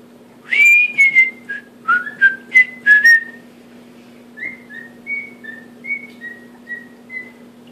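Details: Male pet cockatiel indoors attempting to whistle the Andy Griffith theme, still rough: clear sliding whistles, first louder and upward-gliding, then softer short whistled notes in a halting tune, steady hum behind.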